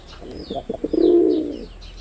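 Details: Single coo from a performing male red-bordered wild pigeon: a few quick stuttered notes, then one sustained, rich, low rolling tone lasting over half a second, with faint high chirps behind.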